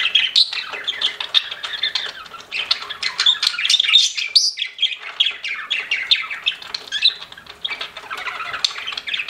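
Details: Pet budgerigars chirping together indoors, a dense chatter of warbling, squawky notes and short chirps layered continuously with brief pauses.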